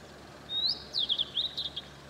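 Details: Blue-and-white flycatcher singing in Tokushima Prefecture, Japan, recorded from a distance: a long high clear whistle that rises, then a quick run of slurred, falling whistled notes, all high-pitched, over faint steady background hiss.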